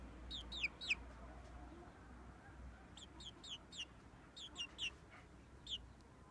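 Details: Young frizzled Pekin bantam, mille fleur porcelain red, aged six weeks, giving repeated high descending peeps in loose clusters of two to four, fairly constant through the recording over faint hiss.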